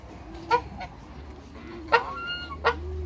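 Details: A pair of African geese in a backyard gives three brief, separate nasal honks spread over about three seconds, with a low background hum.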